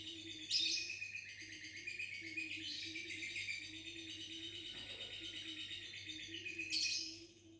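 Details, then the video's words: Lovebird offered ngekek and gacor lure songs while still seeming confused and playful; a continuous high rattling trill with louder bursts near the start and end, a faint low tone beneath. "Dikasih Pancingan Ngekek dan Gacor"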